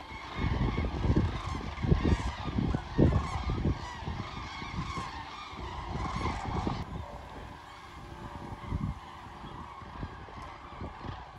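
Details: Thousands of common cranes migrating south over the Wetterau at Bad Nauheim, Hesse, on 22 October 2022, give loud, rolling trumpeting calls that overlap and tumble over one another, above a steady low rumble.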